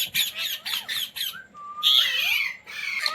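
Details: Talking Indian Ringneck parrot kept as a pet: rapid bursts of harsh squawks, a long steady whistled tone, then a loud rasping screech, with laughter from people nearby.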